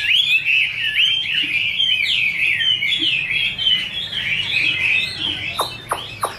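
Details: Chinese hwamei female 'te' with a male singing behind: fast jumbled warbling whistles in a continuous stream, ending with a few sharp clicks.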